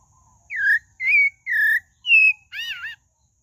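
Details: Pale-breasted thrush song phrase of five clear whistles, about two per second, varying between falling, level and wavering notes, the final one warbled.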